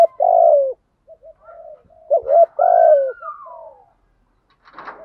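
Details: Spotted dove lure calls from male and female birds, meant to draw other doves into calling. A long mellow coo, soft short notes, then a louder double coo and a long falling coo, with a faint rustle at the close.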